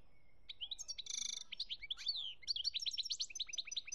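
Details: European goldfinch in Algeria, 2017, delivering a lively song: high twitters, a buzzy dry rattle, then a rapid tumbling series of sharp liquid notes.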